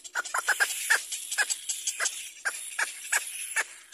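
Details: Baby little black cormorant begging its mother for food, giving rapid clusters of short, hoarse downslurred cries, then spaced single yelps, with a constant high-pitched hiss behind.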